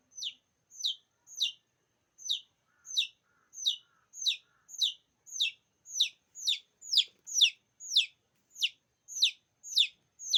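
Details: Chicken chicks calling to other chicks: loud, high, downward-sliding peeps repeated about twice a second in a steady series, with a few faint lower notes early on and no other clear sounds.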